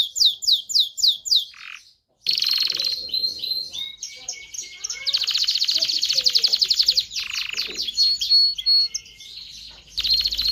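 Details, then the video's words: Excited canary singing to prompt mating in both sexes: high descending notes give way to dense buzzy trills, rapid rolls and a thin steady whistle, broken by a brief silence. "تغريد كناري لتدريب ذكور واناث الكناري على التزاوج. صوت كناري لتزوج .. Canary singing"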